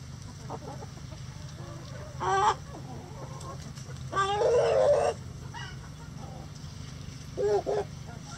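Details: Backyard chicken flock in a sunny coop, over twenty roosters kept: a rooster gives a strong, drawn-out harmonic crow lasting nearly a second, preceded by a shorter burst and followed by another brief call, over soft clucking and a constant low hum.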